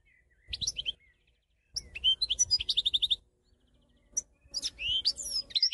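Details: European goldfinch song: bright, high twittering bursts of quick varied notes, one run of rapid repeated chips, separated by brief pauses.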